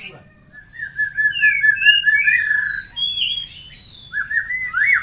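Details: Song of a white-rumped shama, used to spur other shamas into full song: long clear whistled notes and upward slurs at different pitches, followed by a falling slur and a fast rising flourish at the end.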